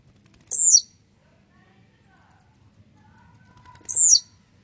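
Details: Blue-black grassquit described as a grumpy, fired-up bird: two short, very high, buzzy phrases that sweep sharply downward, about three seconds apart, with faint soft ticks and a low hum between them.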